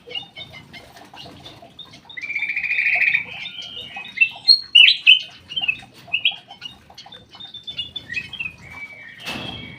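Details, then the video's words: Aviary-kept black-crested bulbul delivering a long, bubbling song: a sustained warbled whistle, then a series of loud, clear, swooping notes and quick chirps, ending in a sharp burst of noise. "BURUNG CUCAK EMAS \ KUTILANG EMAS SUARA MAKIN BENING"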